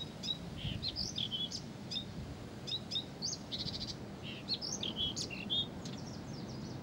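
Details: Blyth's reed warbler that cannot stop singing, delivering a dense, varied stream of high chirps, whistles and clicky trills with short gaps between phrases, steady background hiss.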